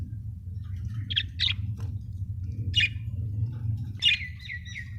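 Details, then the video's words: A happy budgie chirps in short, high notes, a pair of quick chirps, then a single one, then a longer chirp trailing into a thin whistled tone, over a faint low hum. "Happy budgie chirping sound"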